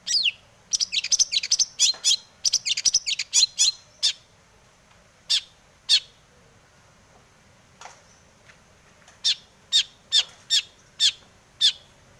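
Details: Long-tailed shrike in breeding mood, a lure to make other shrikes sing: a fast burst of chattering, scratchy notes gives way to a pause and then sharp, clipped notes spaced about half a second apart.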